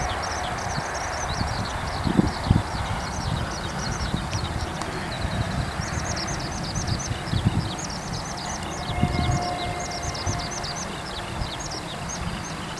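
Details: A Eurasian skylark sings high overhead above a farm road, pouring out a fast, unbroken stream of high, twittering chirps, with the low rumble of nearby cars beneath it.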